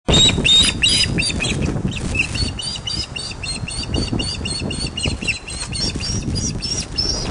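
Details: Ospreys at the Loch of the Lowes nest, Scotland, recorded by webcam on 31 August 2013 at 16:39 during a large fish delivery; rapid, shrill chirps repeated several times a second over low wind rumble.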